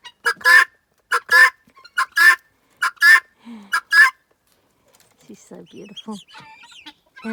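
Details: Guineafowl kept by their owner in a rough area with goannas, foxes and eagles, calling in contentment. Harsh, loud, two-part squawking calls repeat in bursts for about four seconds, then a woman speaks softly over quieter clucks.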